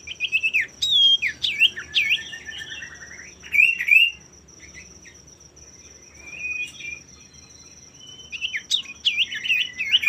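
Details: Male common iora singing energetically, a song used to provoke rivals into singing: bursts of sharp, slurred whistled notes, some rising then dropping, separated by quieter gaps, over a steady high thin hiss.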